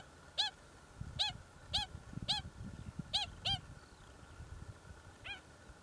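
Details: Pied stilts from a native colony nesting in the middle of an earthworks site on the Waikato Expressway, Hamilton section, with young chicks; single clear yapping notes spaced about half a second to a second apart, then a pause and one final call, over a quiet low hum.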